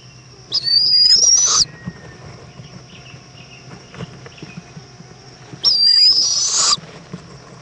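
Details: Mother owl bringing a bug to her chick at dusk in Indiantown, Florida, February 2014; two loud, airy, hissing screeches about a second long, roughly five seconds apart, with light tapping between.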